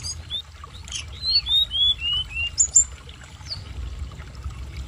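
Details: Snowy-browed flycatcher, a young bird learning to sing, gives a quick run of five thin, high whistles, each slurring downward and stepping lower, then sharper, higher notes, over soft trickling water played as therapy.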